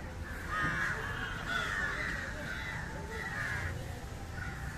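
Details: Indian jungle crow (Corvus culminatus) feeding on fish, giving hoarse caws one after another against a constant low background hum.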